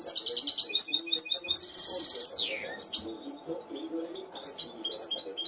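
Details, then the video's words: Trained goldfinch hybrid in cante limpio style: quick high tinkling trills, a dense buzzy burst, then a clear downward-sliding whistle before more fast twitters, with a soft low murmur behind. "mixto de jilguero educado a cante limpio"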